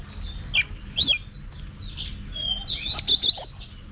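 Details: Caged Oriental magpie-robin being trained for competition singing, giving a few sharp whistled notes and short slurred phrases with pauses between, over a steady low hum.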